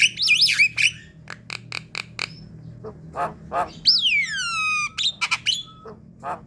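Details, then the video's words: Mixed Javan myna vocalizations played to lure flocks in: shrill wavering whistles, a string of sharp clicking ticks, harsh rasps, then a long sweeping whistle falling from high to lower pitch. "Putarkan suara ini untuk pancingan jalak kebo ombyokan"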